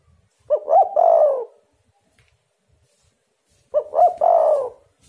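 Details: Spotted dove cooing as a lure to make other doves answer: two phrases a little over three seconds apart, each a quick doubled note followed by a long, burry coo that slowly drops in pitch.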